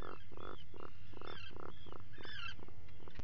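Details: Atlantic puffin calling inside its burrow at breakfast, 04:58 on 28 June 2019, picked up by a burrow camera: a run of low, throaty growling pulses, about three a second, with higher bird calls from outside layered on top.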